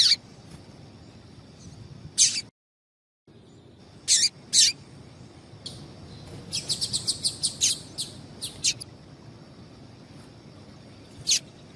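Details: A female double-collared seedeater gives high, sharp chip calls meant to excite males for singing contests: scattered single chips, then a quick run of about eight notes, with a brief dead gap near the start.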